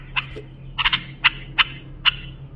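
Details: A bulbul's phrases for teaching young birds: short, bright, rich notes delivered singly and in a quick triplet, spaced about every half second, over a steady low hum.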